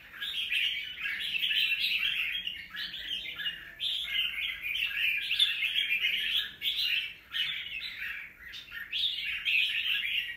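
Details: Wild-caught young red-whiskered bulbul, filmed 25 December 2023, sings a long run of busy, scratchy warbled chatter, phrases running almost without pause and dipping briefly between bursts.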